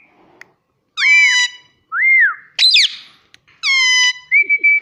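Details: A pet Indian ringneck parrot talks, saying "mummy" and "papa," in four high, nasal, speech-like phrases, each rising and falling, spaced about a second apart in a quiet room.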